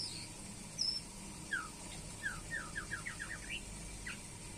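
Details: White-rumped shama, pairing: one high thin whistle, then a quick run of about eight short downward-slurred notes that step upward in pitch, against a steady low hum.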